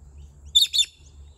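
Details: Female pet bird in a garden, on a fine day before rain, gives two loud, shrill chirps in quick succession; she yells ear-splittingly when she hears other birds, calling to them at a distance.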